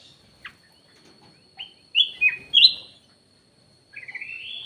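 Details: Black-naped oriole lure call: a few short, slurred whistled notes, some falling and some rising, given singly and in a quick cluster of three, then a longer rising buzzy phrase, over a faint steady high tone.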